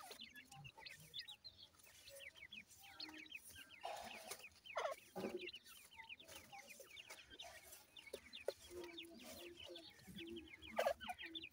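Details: A flock of grey francolin chicks feeding chirps almost nonstop with short, bright, upward-slurred peeps. Occasional soft lower notes and faint rustling run underneath.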